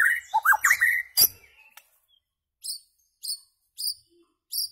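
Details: White-rumped shama song used to tutor goldfinches and their hybrids in rare notes: a burst of rich slurred whistles and quick warbles, then a sharp click and a run of thin, high piercing notes spaced about half a second apart.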